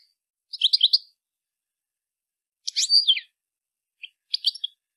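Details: Female European goldfinch calling to stimulate males to sing and mate: three short bursts of high, tinkling chirps, each cluster of rapid twittering notes lasting about half a second, separated by silence in an otherwise quiet recording.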